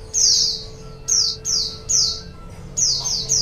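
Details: White-eye lure sound for wild birds: high, sweet chirps sliding downward, six in three and a half seconds, with a quiet hum in the background.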